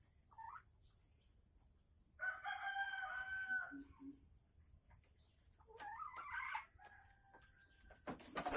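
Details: Caged Sumatran red junglefowl hen announcing she is about to lay, December 2020: a brief opening note, a long harsh harmonic call, then a quick run of rising notes and a final burst of noise.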